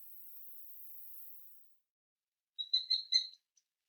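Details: A Sharp-shinned hawk gives four quick, thin, high notes in a tight burst, its typical frantic kik-kik-kik call, preceded by a faint high hiss and a pause.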